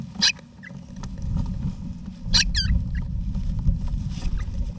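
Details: Eastern rosella parents and babies sharing a backyard nesting box in Australia during November 2018; a brief sharp note, then a louder burst and a short warbled trill, all set against a heavy low rumble.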